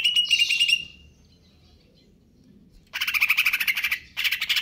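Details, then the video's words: Konslet kejer nembak singing from a cucak ijo (Greater green leafbird): a whistled note slurring higher, a pause, then long rapid rattling chatter broken briefly before resuming. "cucak ijo konslet kejer nembak"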